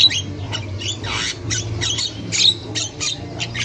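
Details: Javan myna in the wild, used as a lure for young birds; female chatter. Harsh, scratchy squawks and rasping bursts follow one another rapidly over a steady low hum.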